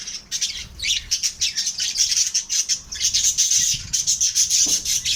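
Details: Pet lovebirds being kept and reared give a continuous shrill chatter of rapid, high, overlapping chirps and squeaks, pulsing steadily with hardly a pause and several birds apparently calling at once.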